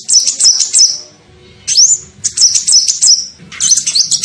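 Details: Kolibri ninja sunbird heard in a bird-luring recording: quick series of high, sharp chirps, one upslurred whistle near the middle, then more dense twittering bursts; a soft low hum underneath.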